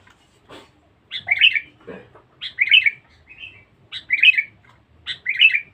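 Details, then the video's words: Lure (pikat) recording of a loud, fierce Sooty-headed bulbul: short, rich, bubbling whistled phrases repeated about every one and a half seconds, with small chirps and faint clicks between phrases. "pikat kutilang bagus"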